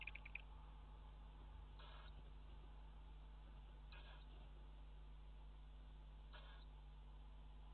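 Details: Tawny owl chicks on 4 April 2017, old enough to feed themselves, give brief, wheezy hissing calls about every two seconds over a steady low electrical hum.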